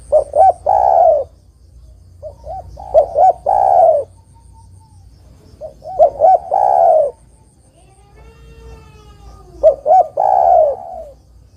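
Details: Spotted dove song used as a lure for trapping other doves: four phrases, each of quick short coos followed by a long low coo, repeated every few seconds.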